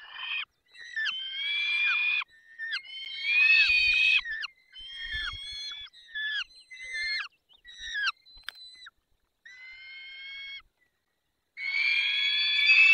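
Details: During feeding in the Barycz Valley at 10:22 on 20 May 2021, peregrine falcon cries come as repeated harsh, whining wails with strong overtones, mixing short bursts and longer notes separated by brief pauses and ending in a loud rasping call.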